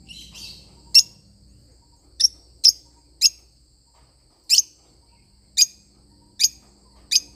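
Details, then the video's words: Lovebird parrot giving sharp, piercing single chirps spaced about one second apart, beginning with a soft rasping twitter, over a quiet background. "love bird singing sound"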